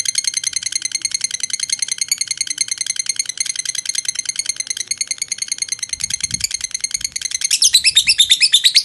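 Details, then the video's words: Lovebird from Jogja, Indonesia, singing its long 'ngekek' song: a thin, even stream of rapid buzzy high notes at roughly three per second, growing louder and harsher near the end, with faint low thumps. "Lovebird Kantil Ngekek Panjang"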